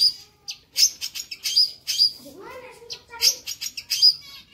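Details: Energetic long-tailed shrike song with lively fill for bird training: sharp, piercing high chips repeated more than once per second, broken midway by a lower, wavering, descending whistled phrase.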